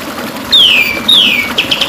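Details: White-rumped shama song from a training recording for captive songbirds: two loud, clear whistles, each sliding down from high to lower pitch, then a few short, bright notes at the end.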